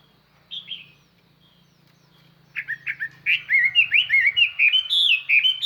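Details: A lure Chinese hwamei sings to draw in wild birds. One brief whistle and a long quiet gap with low hum give way to a fast stream of bright, looping whistled notes that grow louder toward the end.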